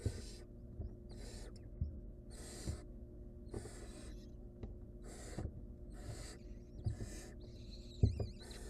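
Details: A wild barn owl mother and nestling at the nest while the chick struggles to swallow a rodent leg; a series of broad, noisy hissing screeches repeats at short, uneven intervals above a low background hum.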